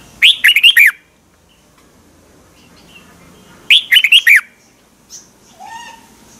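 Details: Red-whiskered bulbul from Thailand singing, played to excite caged birds: two rapid four-note warbled phrases about three seconds apart, followed by a faint lower whistle and soft calls near the end.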